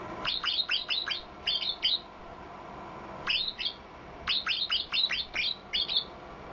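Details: Strange fill-in song of a white-eye, delivered as quick bursts of four or five bright, down-slurred chirps, with pauses of about a second between bursts.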